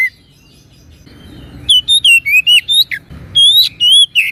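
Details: Kacer (oriental magpie-robin) masteran song in gacor style: soft background hum at first, then a quick run of loud whistled notes that swoop up and down, with a few raspy accents.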